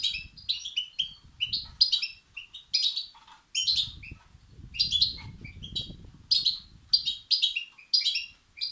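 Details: Begging European goldfinch chicks, used to stimulate males: a quick series of short, high chirping bursts, about two per second, thin and scratchy, with a low rumble in the middle.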